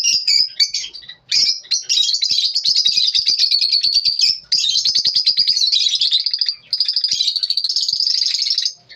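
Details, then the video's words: Morning chirping from lovebirds: long bursts of fast, high, buzzy twittering lasting several seconds each, broken by short breaks, with a steady stream of rapid repeated notes. "lovebirds morning 🌅 natural sound"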